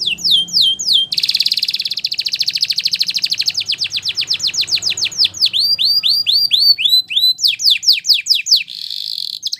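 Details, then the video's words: Belgian canary song for training: long rapid rolling trills of repeated downward-sweeping notes, shifting speed and pitch, with fast sliding whistles and a brief buzzy passage. "Belgian Canaries Sing With Melodies That Are Pleasant To Listen To!!"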